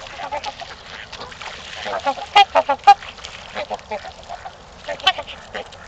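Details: Trumpeter swans calling at mating time in Gallup Park, Ann Arbor, Michigan. Brassy honks come in an irregular run of about two per second, with a loud cluster around the middle and softer calls after it.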